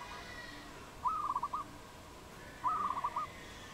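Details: Wild dove in Cambodia, recorded 22 April 2020: two short rolling, slightly tremulous cooing phrases about 1.5 seconds apart over steady background hum.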